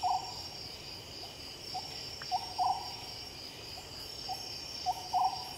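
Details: Oriental scops owl calling at night, hollow low notes grouped into phrases ending in a quick double note, repeated regularly under persistent high insect chorus.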